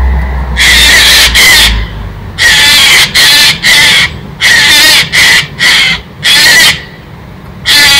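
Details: Harsh grating screeches from a Eurasian jay scolding a squirrel in mid-November, loud and near, uttered in rapid rasping bursts, often two or three together, with brief pauses and a low rumble at the start.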